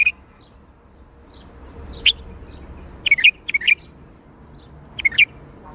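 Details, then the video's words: Bulbul song in the Baghdadi style, with brisk clusters of quick chirruping notes rising and falling. The clusters come in spaced bursts over a quiet, steady background. "تغريد بلبل طور بغدادي"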